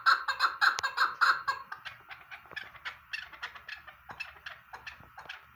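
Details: Chukar partridge calling in fast repeated clucking notes, loud at first and then fading into softer, more scattered chuks over the following seconds.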